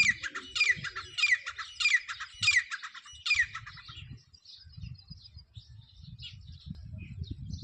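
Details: A grey francolin, used as a hunting call, gives about six loud, harsh, grating notes in quick succession over four seconds, then softer chatter follows over low background rumble.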